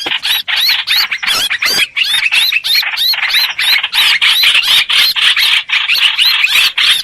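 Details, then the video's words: Streak-eared bulbul used as trapping lure: a loud, steady stream of squeaky notes with looping whistled slurs, several overlapping at once, barely pausing. "Tiếng chim hoành hoạch mồi chuẩn"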